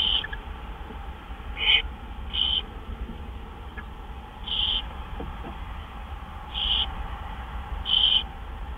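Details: Owl calling at the nest after midnight on March 26, 2013, while gophers are brought in: brief harsh, screechy notes repeated irregularly, about six over nine seconds, above a steady low rumble.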